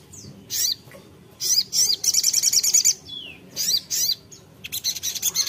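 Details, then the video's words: Ruby-cheeked sunbird (sogon) in lively song aimed at a rival: high, thin chirps and short slurred notes in separated bursts, one rapid twittering run, a soft falling whistle, then a closing string of quick sharp notes. "sogok ontong (sogon) GACOR memanggil lawan"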